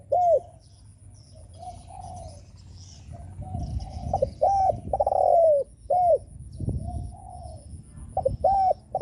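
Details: Provoking call of a spotted dove: arched, hollow coos and one long sliding coo, over a low rumbling background with soft, quieter coos in between.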